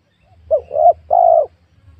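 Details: Spotted dove cooing during a session luring wild doves on newly worked young oil palm land: one phrase of two short clipped coos followed by a drawn-out, mellow, slightly descending note.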